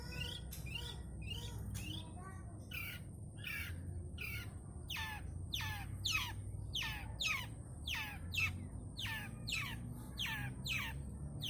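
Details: Long-tailed shrike song full of varied phrases: a long run of harsh descending squawk-like notes, roughly one per second, with steady low rumble beneath.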